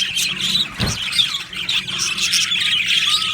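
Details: Colony of happy budgerigars squawks and chirps in a busy overlapping jumble of high notes, with one low thud early on and a rising thin whistle near the end.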